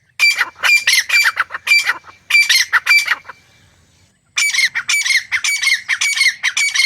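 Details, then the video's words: A wild male and female grey francolin pair in natural forest habitat give loud, harsh, rapidly repeated squawking calls in bursts, a brief pause, then the ringing series resumes. "Grey Francolin Partridge Pair"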